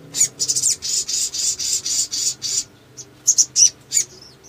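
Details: Male crimson sunbird, known locally as sogon, singing energetically as a lure to provoke other birds. A run of about ten high, buzzy, hissing notes is followed by a few sharp, thin chips.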